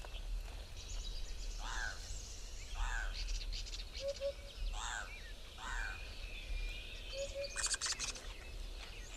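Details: Two fighting male African hoopoes in South Africa giving harsh, downslurred rasping 'kraaaa' aggression calls about once a second, with a few soft low double notes, over steady low rumbling background noise.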